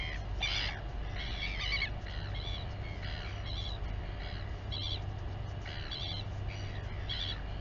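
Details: Royal albatross colony at Taiaroa Head near Dunedin, New Zealand, during a feeding of the chick by its mother. Rapid run of short, nasal harmonic squeals repeated roughly every half second, with a low wind hum underneath.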